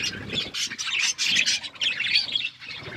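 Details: Budgerigars chirping while eating seeds: dense, busy high-pitched chattering and squawky chirps from several birds, in bursts with brief pauses, with soft low rustling beneath.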